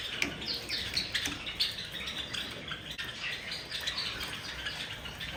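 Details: Java sparrows in the bath give scattered bright chirps and short sliding notes, some louder clicks among them, while water splashes and drips throughout.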